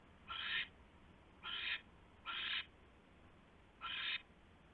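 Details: Owl at the nest shortly after midnight on 27 January 2016 during delivery of a huge rat: four strong, noisy, hissing screeches in quick succession, each under half a second, evenly loud, steady faint background hum.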